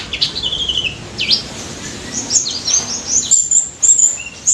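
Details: Singing white-eye in ngalas style, played to prompt mute white-eyes to reply: scattered high whistled slurs and short swooping notes, some dipping then rising, broken by brief gaps, with faint background hiss.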